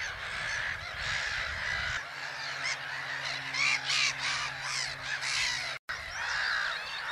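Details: A noisy flock of black-headed gulls (Larus ridibundus) at Haaksbergerveen, Twente, Netherlands, gives harsh, overlapping screeching calls throughout, over a steady low engine-like hum.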